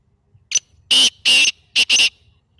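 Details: Black francolin giving one grating call phrase, intended to make a pet partridge call back: a brief sharp opening note followed by four broad, rasping bursts grouped in two pairs, clean quiet background.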